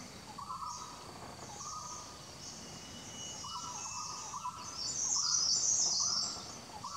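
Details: Male Slaty-blue Flycatcher in NW Thailand's Doi Pha Hom Pok NP, western slope of Doi Lang, 25 March 2017: short mid-pitched notes repeated about every second, with a brief high buzzy burst near the end and steady background hiss.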